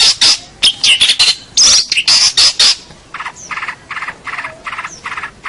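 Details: Local long-tailed shrike, a prize-winning singer: loud grating bursts give way to a run of evenly spaced, softer buzzy pulsed notes, about two and a half per second.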